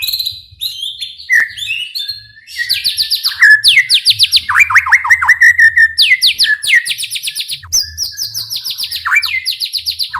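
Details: White-rumped shama provocation song to make other shamas sing: long energetic stream of rapid repeated notes, high rattling bursts and descending slurs, very loud and almost unbroken for ten seconds.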